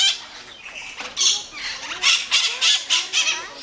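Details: A pair of white-eyed parakeets, possibly not genuine, squabbling at the Iguaçu bird park, trading harsh, grating screeches in quick bursts, several a second, in a noisy back-and-forth.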